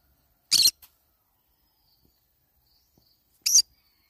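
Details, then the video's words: Green-cheeked conure eating banana leaves gives two short, harsh, raspy screeches about three seconds apart, with near silence between them. "I tried eating banana leaves : green cheek conure cute bird sound."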